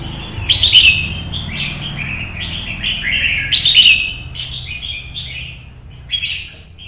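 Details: Red-whiskered bulbul kept as a caged songbird in Vietnam, singing solo in competition style: clear, lilting whistled phrases, quick and slurred, in short bursts roughly every few seconds over faint low-pitched rumble.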